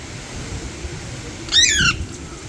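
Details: An Alexandrine parakeet perched on an electric wire gives a single harsh, ringing squawk that slides downward in pitch and lasts under half a second, over a low background rumble.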